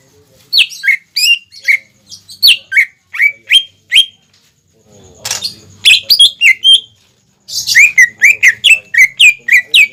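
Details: Greater green leafbird singing vigorously, used as a lure song for young or untrained leafbirds to copy: a fast series of sharp, downward-swept whistled chirps, broken by a brief buzzy burst and short pauses, then another rapid run of chirps.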